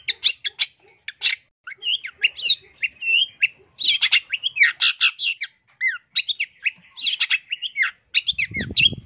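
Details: Long-tailed shrike, called cendet, in a 2023 full-isian masteran: continuous varied warbling of rising and falling slurred whistles mixed with scratchy chatter, almost without pause, with a brief noise burst at the end.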